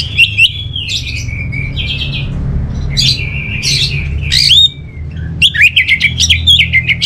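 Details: Song of an orange-headed thrush. Sweet whistles are mixed with buzzy, scratchy bursts, then a quick series of loud clipped notes in the last two seconds.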